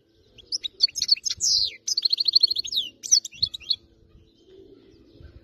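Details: Captive wild-caught goldfinch of area 86 delivering error-free song: about three seconds of rapid, jangling twitters and trilled runs, then silence apart from soft background hum and occasional knocks.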